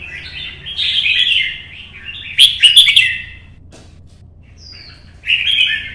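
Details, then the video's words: Red-whiskered bulbul singing solo in early morning sun, competition-style 'chạy cầu' song used to stir other birds: bright warbled phrases rising and falling, a louder burst of rapid notes mid-way, then a short whistle and a final phrase. "CHÀO MÀO | Nắng sớm solo chạy cầu hót đấu kích chim"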